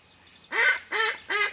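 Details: Decoy Mallard hen calling to attract ducks on a hunt; three quick, loud, rasping quacks in rapid succession, each short and nasal.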